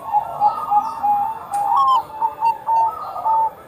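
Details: Bangkok-type zebra dove in lively song, used to coax other doves into singing; short soft coos and a few longer level whistled notes follow one another quickly, several voices overlapping.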